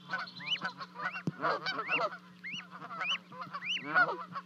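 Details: At Charlo, Montana, on 12 May 2020, two goslings leap from a 30-foot-high nest to their Canada goose parents. Hoarse, layered honks alternate with looping, rising whistled notes, with a sharp click near the middle.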